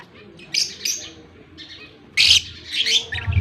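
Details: Budgerigar chicks fed by a male, October 18, 2023: two brief high rasping chirps, then a loud noisy burst and a tumble of scratchy squeaks, with a low thump at the end.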